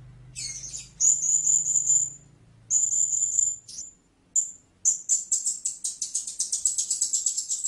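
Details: Blue-crowned hanging parrot giving a buzzy chirp, then long drawn-out high thin squeals, a few short notes, and finally a fast steady run of sharp high chirps at roughly four per second; faint low hum early.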